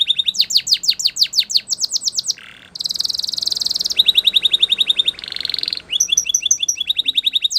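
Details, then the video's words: Spanish Timbrado canary in full song, alternating bouncy runs of downslurred notes with dense buzzing rolls and fast ringing trills, each phrase lasting about a second, clean and loud. "Canary Singing CHAMPION For Training | Spanish Timbrado Song"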